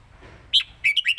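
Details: Caged red-whiskered bulbul in Thailand singing in lak wai and southern mae bot styles: a sharp single note, then three fast, rolling whistled notes in a bright burst.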